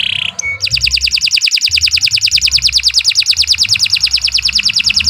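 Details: Canary singing continuously for use as a training lure: a brief buzzy note, then one long, very regular rolling trill of rapid repeated pulses lasting over four seconds.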